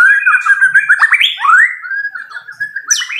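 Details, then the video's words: White-rumped shama, a fighter bird, in loud fighting song: a fast, unbroken stream of whistled slurs, quick trills and sweeping rising and falling notes, ending in a sharp high burst. "MURAI BATU FIGHTER TEMBAKAN KERAS"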